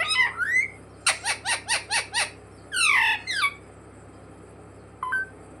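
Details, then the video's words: Talking pet parrot (mitthu) learning "mummy papa": a rising whistle, then five quick clipped notes, a harsh descending squawk pair, and a short final chirp over a steady low electrical hum. "मम्मी-पापा बोलने वाला सुपरस्टार मिट्ठू || 100% असली बोलने वाला मिट्ठू | Viral Parrot Talking Video"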